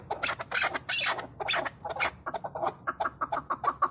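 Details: A captive male chukar (mountain partridge), tethered or caged and used as a hunting decoy, calls harsh, clucking chuk notes that quicken into a steady run of about five or six per second, with no other sounds.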